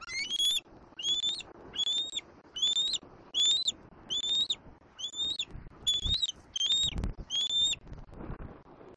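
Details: Juvenile bald eagle repeatedly squeeing at its mother near its Southwest Florida nest on an April 2024 afternoon: about ten high, rising whistled squeals in a steady series, roughly two every second, over faint background noise.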